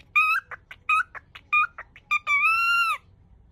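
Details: Pet cockatiel over-eagerly attempting the Japanese welcome phrase "yoku kita ne", cutting it short each time. Quick chirpy speech-like syllables in three groups, then a prolonged level tone lasting under a second, in a still indoor setting.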